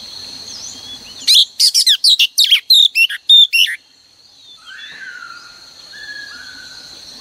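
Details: Female oriental magpie-robin, played daily at dawn to excite males into singing, delivers a two-and-a-half-second string of about ten crisp, high, varied notes, then soft, drawn-out whistles and low background noise.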